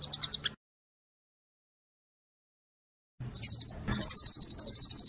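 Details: Oriental white-eye in tembakan shooting style for caged-bird training: a few sharp chips, a long silent break, then a short burst and a rapid run of very high repeated notes.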